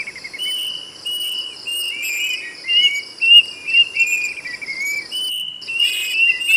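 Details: Plaintive cuckoo giving a string of whistled notes, each slurring upward and repeated a little over twice a second. A high, continuous insect buzz accompanies it, with a brief dropout near the end.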